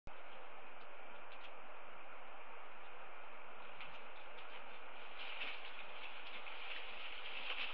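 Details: Continuous rushing hiss from a live camera feed with faint clicks and a low rumble, and no animal voices.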